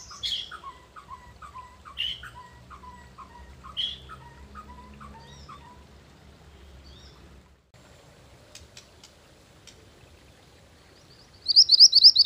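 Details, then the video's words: Mantenan gunung bird song used to lure birds and train them; a patterned sequence of short descending chirps repeated about every two seconds, a pause, then a burst of rapid high trilling at the end. "Mantenan Gunung Pikat Gacor"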